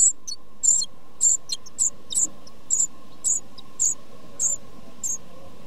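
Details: Nestling tits begging inside a nest box in their first two weeks: short, very high squeaks repeated roughly every half second in a fairly even series, over a constant low electrical-like hum.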